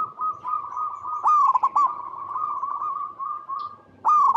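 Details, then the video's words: Zebra dove of a local Indonesian strain, recorded in its natural habitat, in lively song used to prompt other doves to sing: a long sustained coo stretched into stuttering pulses, with louder accented notes near the end. "Perkutut Lokal Gacor Suara Paling DiCari Untuk Pancingan Semua Burung Perkutut Agar Bunyi"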